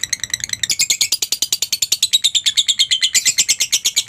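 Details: Ngekek-style lovebird song, a training recording: a continuous run of fast, scratchy, high chirps, evenly spaced at about three per second and growing louder after the opening moments.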